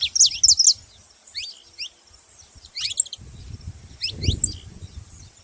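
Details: Saffron finch giving short, high, sharply rising chirps in a loose burst at the start, then scattered single notes, over a low rumbling background.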